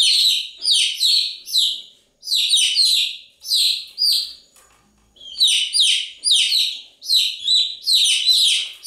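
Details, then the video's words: Chicks peeping in clustered bursts of sharp, descending high notes, each burst lasting about a second, with a longer silence midway before the chirping picks up again. "Continuous Chirping sound of Chicks"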